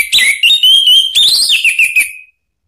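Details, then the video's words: Orange-headed thrush song used to goad another bird into singing: one long, continuous two-second whistled phrase, sliding and warbling with a brief upward flourish midway before trailing down and fading. "isian TAJAM !!! bikin ANIS MERAH EMOSI NYAUT NGEPLONG ¦ PANCINGAN AM ¦ TERAPI MACET"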